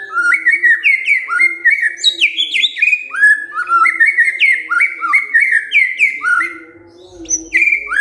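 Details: Loud, continuous white-rumped shama song triggered by a lure recording: a steady stream of rich whistled phrases, upslurs and downslurs alternating quickly, barely pausing for eight seconds.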